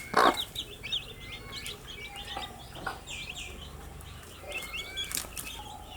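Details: A group of young chicks peep steadily, their thin high chirps overlapping in a lively chatter, broken by a sharp knock at the start and a few scuffling noises.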